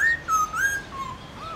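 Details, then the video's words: Brief Black-throated laughingthrush morning wild-voice song: a few pure, level to gently sliding whistles in quick succession. "Khướu bạc má hót đấu giọng rừng buổi sáng"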